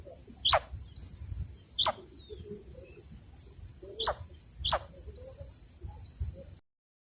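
A female common quail gives four sharp, steeply falling notes at irregular intervals, with faint high chirps and a low background rumble.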